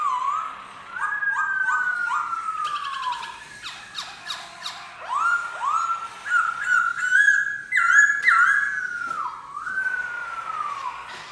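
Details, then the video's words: Black-throated laughingthrush singing a long run of loud whistled phrases, mostly short notes sliding downward, delivered in quick clusters of three or four with brief pauses between. "Khướu bạc má hót hay!"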